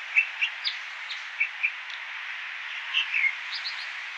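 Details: Water ouzel, or American dipper, giving a series of clear chirps, evenly spaced at first, then a short cluster and a few higher notes, against a continuous rushing hiss; road noise reduced.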